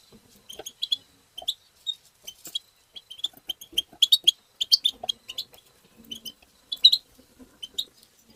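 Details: Twittering 'tabta' song of a European goldfinch, meant to stimulate other goldfinches: fast, dense runs of high tinkling notes, with faint low clicks and rustling beneath.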